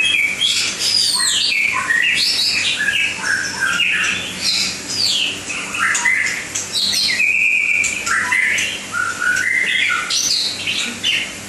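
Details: White-rumped shama in Langkawi delivering a long, varied song: rapid bursts of whistles, chattering squeaks and sweeping high notes in phrases separated by short gaps, over a constant faint hum.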